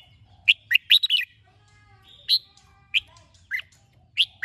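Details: Morning song of a red-whiskered bulbul, chè style, played to train kept bulbuls to sing: a quick cluster of sharp chirps, then single clear notes spaced about half a second apart over a soft low hum.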